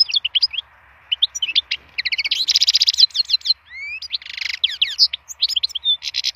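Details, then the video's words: Full song of a wild European goldfinch, used for song stimulation: dense tinkling twitters, rising slurred whistles and harsh buzzy rattles mixed in a continuous, lively flow. "chant chardonneret sauvage"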